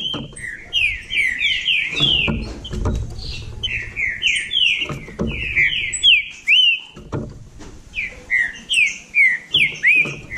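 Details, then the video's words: Bahia trinca-ferro, a green-winged saltator, in a singing dispute: rapid bursts of overlapping descending whistled notes, several phrases in a row, with background knocks and rustling. "Trinca ferro da Bahia disputando"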